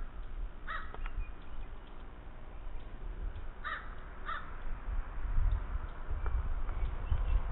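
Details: A few scattered harsh caws from a wild crow at Thunder Bay, Ontario, near Lake Superior, 22 July 2010, with one call early and a pair in the middle, over low rumbling handling or wind noise.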